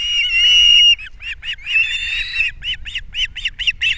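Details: Osprey pair at a nest on Captiva in April, the male bringing fish for breakfast and the female feeding chicks; a long whistled call, then a series of short piercing chirps repeated several times a second.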